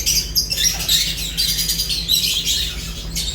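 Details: Lovebirds eating, with a dense stream of high, shrill chirps and squawks from several birds overlapping throughout, plus a steady low hum underneath.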